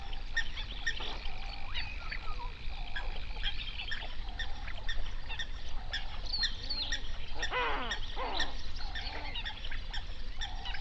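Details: Large flamingo flock on a national park lake in South Africa's Overberg region at sunrise, hundreds of birds. Overlapping nasal, goose-like honks sound constantly, with a sustained higher tone early on and a burst of stacked calls near the end.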